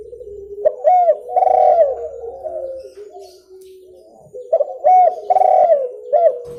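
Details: Clear spotted dove call for luring birds: two loud cooing phrases of rounded, slurred notes ending in a level drawn coo, separated by a softer low murmur.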